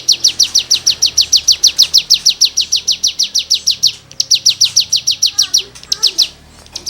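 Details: Cigun in lively, full-volume song meant as tutoring material for songbirds: long runs of rapid, sharp, high chipping notes in steady rhythm, broken by short pauses, with faint thin whistles from other birds late on.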